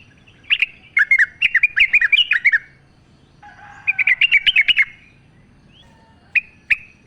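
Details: A yellow-vented bulbul sings in the wild: a long, tumbling phrase of varied warbled notes, then a second bubbly burst, followed by a few isolated sharp chips.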